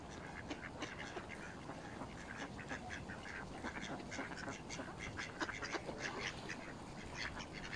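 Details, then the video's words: Mallards in a feeding frenzy with Canada geese at Smith's Pool, Fenton, Stoke on Trent, UK, on 21 November 2021, recorded by mobile phone. Many short, harsh overlapping notes come in dense, irregular bursts over steady background noise. "Mallard Duck and Canadian Geese Feeding Frenzy"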